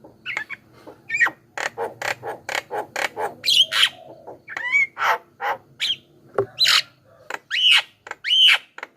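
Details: Javan myna lure sound for calling wild mynas and prompting caged birds to answer: a dense, busy run of harsh chattering notes mixed with short bright whistles, almost continuous, with faint low background hum.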